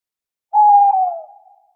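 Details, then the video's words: Owl at night giving one strong hoot that holds steady and then slides down slightly, fading out over about a second, nothing else audible. "Owls at night. 10 minutes of relaxing owl sounds."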